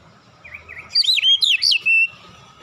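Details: Oriental magpie-robin, relaxed lure song used to get young birds singing fast: one brief, loud phrase of twisting, high whistled notes lasting about a second, then quiet.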